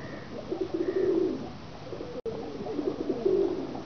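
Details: Pigeons from a Pakistani pigeon-keeping loft give two low, bubbling, drawn-out coos separated by a pause, each swelling and fading, with soft room noise around them.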